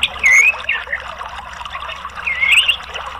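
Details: Orange-headed thrush therapy song meant to prompt singing: a few clear whistled, slurred phrases rising and dipping, separated by quiet gaps, over a soft steady water-like background hiss.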